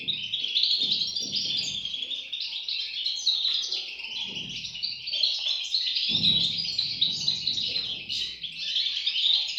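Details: High, continuous twittering from goldfinch chicks fills the recording, with overlapping rapid chirps. Soft low thumps and rustles occur at intervals, strongest around six seconds.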